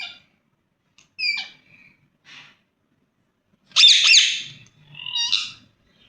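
Rose-ringed parakeet giving a few harsh, squawky calls with sharp rising and falling notes, separated by short silences.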